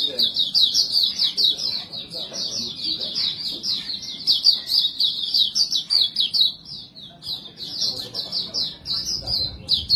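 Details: White-eye (pleci montanus, white breast) lure song: continuous high, rapid twittering warble, fluttering notes strung together for the whole stretch with slight dips in volume.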